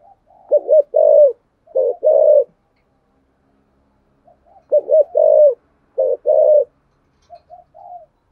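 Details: Low, throaty coos from a spotted dove sung in the 'giọng thổ sấm' style with two ending notes; paired phrases, each a stuttered start then a long drawn note, with quiet soft notes at the edges.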